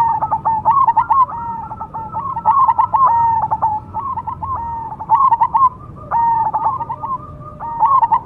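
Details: Cemani perkutut, a zebra dove, sings repeated cooing phrases of rapid, clipped hollow notes, roughly one phrase per second or two with small pauses, steady in pitch over faint hum.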